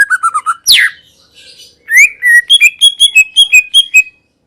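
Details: Greater green leafbird singing: a short warbled phrase and a sharp downslurred squeal, then a quick series of about ten clear, ringing notes repeated in steady rhythm, ending abruptly.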